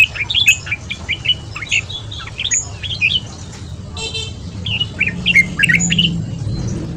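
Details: Red-whiskered bulbul in fast ché-style morning song, used to train voices and excite wild-caught birds: quick chirpy warbled phrases, with a vehicle horn blaring briefly midway and low traffic rumble beneath.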